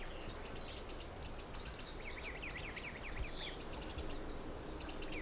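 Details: A family of little grebes, an adult with chicks, busy collecting food in the dunes of Egmond, Netherlands, gives thin, high, rapid pulsed notes in short repeated bursts and lower wavering twitters, over a steady low rumble.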